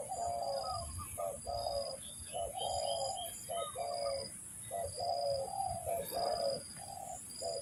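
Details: Luring call of the spotted dove for trapping: soft, rounded coo notes in uneven clusters, low and hollow, with a high, regularly pulsing whine throughout.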